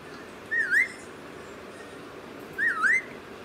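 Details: Pet parrot, called methu, in a talking session, giving two clear whistled phrases about two seconds apart, each dipping then rising sharply at the end, over a quiet indoor background hum.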